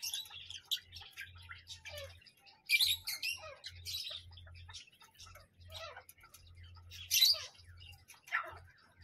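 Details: Parrot calls: scratchy screeches and downward-sliding squeals scattered through, spaced by softer chirping, over a pulsing low-pitched hum.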